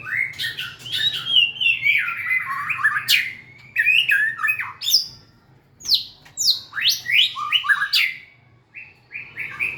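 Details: White-rumped shama, a cage-bird songster, singing a varied run of loud whistled phrases that sweep and slide between low and high notes, with sharp chirps and clicks in short bursts.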